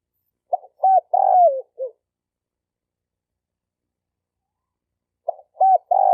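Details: Male spotted dove calling to lure females: a quick series of short coos leading into a long, wavering falling coo, then silence for over three seconds before the phrase begins again.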